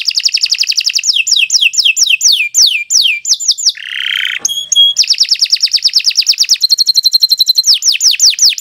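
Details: Canary in long continuous song, recorded for training young birds: rapid descending whistled sweeps, a brief harsh buzzy burst, then fast even trills and more repeated downslurs.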